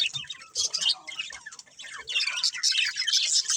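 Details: Budgerigars in a family group at play: busy high-pitched chattering in bursts, buzzy squeaks and short chirps piling up, with a brief lull in the middle before the chorus swells again.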